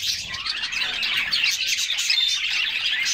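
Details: Canaries together in a summer bath, their song a lively tangle of high tweets, trills and a few clean whistles, continuous from start to finish.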